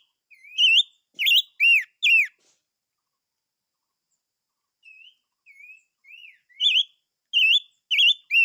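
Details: Whistled song of chim ngũ sắc: four loud wavering notes in quick succession, a pause, soft sliding whistles, then another run of strong, bright phrases.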